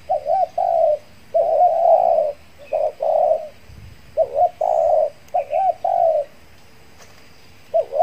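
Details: Spotted dove from Riau Islands used as a decoy to lure wild doves, back out after finishing its molt. It gives repeated low, mellow cooing phrases, each a short rolling note followed by a longer burred coo, separated by brief pauses.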